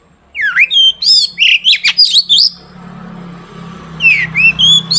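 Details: Long-tailed shrike singing steadily, used as a lure to get other shrikes to sing: sharp high chirps, slurred downward whistles and buzzy notes in quick bursts, then a short pause with a low hum before more rising and falling whistles.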